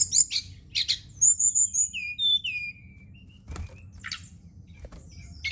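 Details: Brown-chested jungle flycatcher at night, a lure recording meant to stimulate singing: a few high squeaky bursts and clear sliding whistles, then quieter scattered clicks and rustles.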